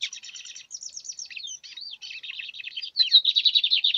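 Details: Lined seedeater singing in the context of catching the bird: a continuous, fast song of dry rattling trills and buzzy notes. It is broken by short down-slurred whistles and warbled phrases, and grows louder and denser toward the end.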